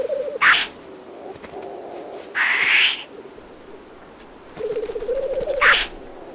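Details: Black grouse at an upland lek at dawn in spring give low, rapidly bubbling rookooing phrases broken by sharp, hissing sneezes, repeated every couple of seconds against a quiet background.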